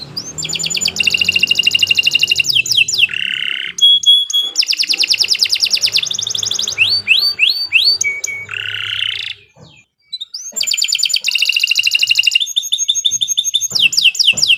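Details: Canary singing a long, sharp master song used to train young birds for contests: fast buzzy trills and rolling rattles high in pitch, broken by short pauses, with steep upward whistled sweeps between phrases.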